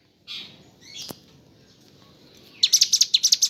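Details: Mountain leaf warbler (ciblek gunung) singing in gacor ngebren style with kapas tembak imitations: two thin high notes, then a quick burst of sharp, bright, high chips repeated about eight times.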